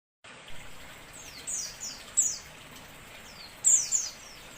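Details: White-eye song used to lure birds: thin, high, descending whistled chirps in short bursts, some doubled, spaced about a second apart, over faint steady background hiss.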